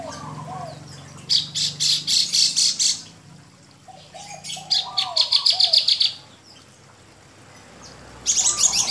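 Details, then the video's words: Caged Javan bush lark of the mottled type in strong song: two long trills of rapid high pulsed chirps with a quiet pause between, faint low warbled notes in the gaps, and another trill starting at the end. "Branjangan gacor dor"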